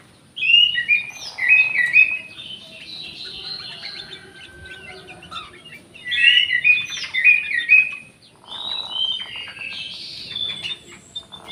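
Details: An orange-headed thrush sings in an aviary, recorded as therapy for birds reluctant to sing. Rich, varied warbling phrases come in three bursts about three seconds apart, each made of quick whistles and twittering notes, with a quiet background.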